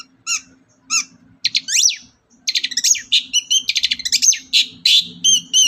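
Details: Long-tailed shrike singing actively as a provoking lure for other birds: a few separate rising notes, then dense, rapid trills and chirps in a varied stream, over a steady low hum.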